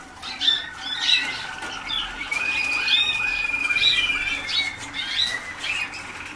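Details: Young Waterslager canaries early in song training sing repeated short chirps roughly every half second over a long steady trilled note, several birds overlapping.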